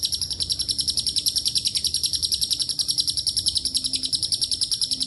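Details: A lovebird chatters in long ngekek style mixed with cililin and canary phrases; sharp high pulses tumble out quickly and regularly, with slight pitch dips partway through.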